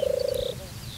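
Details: A European turtle dove (Streptopelia turtur) at a watering place in Turianchay Reserve, Azerbaijan, gives display song: one low, rolling purr lasting about half a second, a soft vibrating trill on a steady pitch, then quiet background.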